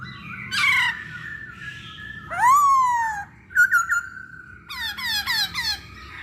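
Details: Masked laughingthrush song played to provoke other birds to sing: a harsh rasping note, a loud rising-then-falling whistled squeal, a brief stuttered burst, and a run of four quick falling whistles over a low background hum.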